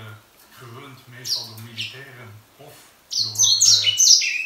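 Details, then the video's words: Grey singing finch kept inside the house: scattered soft notes over a low hum, then a sudden rich burst of rapid, high, tumbling whistles near the end. "zang van de edelzanger / singing Grey singer"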